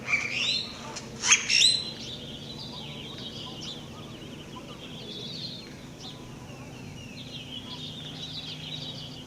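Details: Squeaky calls from a bird described as weird in Atlixco, Mexico: two loud, sharp bursts of chirps at the start, then softer thin whistled notes repeated irregularly, with a constant low hum in the background.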